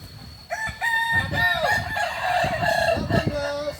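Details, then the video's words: At a Kukuak balenggek chicken contest final in Ampang Kualo, Kota Solok, 8 September 2024, a rooster gives a long multi-part crow of wavering, stepped notes over crowd murmur and thumping noise. "Final latberan ayam kukuak balenggek"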